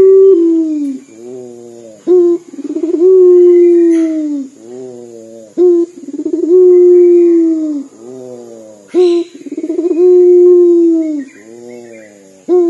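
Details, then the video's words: A local Barbary dove repeating its weeping-like dor coo over and over: long sagging low hoots alternating with soft rumbles and brief sharp rising notes, roughly every three to four seconds, with a faint click or rustle midway. "PUTER LOKAL GACOR DOR SUARA SEPERTI MENANGIS"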